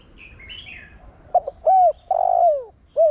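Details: Faint chirping of another bird gives way to a spotted dove's 'Thổ Đồng' style coo, used as a lure to make other doves coo: clipped notes, a soft coo, a long descending coo and a closing short coo.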